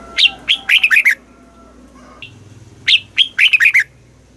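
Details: Southern-style song of a caged red-whiskered bulbul from Thailand, used for training and stimulating birds: two crisp phrases of five or six fluty, falling notes separated by about two seconds of near silence.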